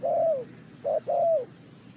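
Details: Spotted dove calling for bird trapping: a long slurred coo that falls at the end, a short clipped coo, then another long coo sliding downward, all mid-pitched, over a quiet background hiss.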